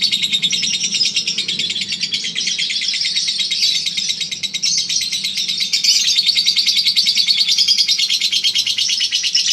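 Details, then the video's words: Singing-contest lovebird, Eagle Head, holding a long ngekek: nearly ten seconds of unbroken high, buzzy chattering trill with a brief dip near the middle before surging again. "Ngekek 1 menit up"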